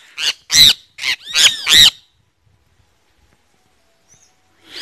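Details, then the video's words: Great kiskadee (Pitangus sulphuratus) giving five loud, harsh, screechy call notes in quick succession over about two seconds, then silence with a new call starting at the very end. "Bem-te-vi Pitangus sulphuratus"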